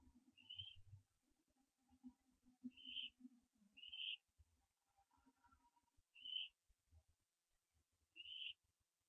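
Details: Young barn owl branching at 4:07 AM on 15 September 2011, live nest camera; five brief, high, raspy wheezes spaced irregularly over nine seconds, with soft low rumbling and shuffling underneath.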